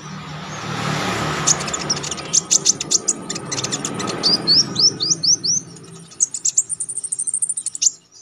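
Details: Orange-headed Thrush (konin) performing energetic, sharp wild-style song for contest-training use: high chips and rising slurred whistles repeated in quick series over noisy background rumble.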